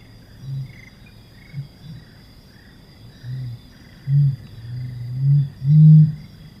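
Helmeted Curassow giving a series of very deep, low booming hums, spaced a second or so apart and growing louder, over a faint steady high insect drone.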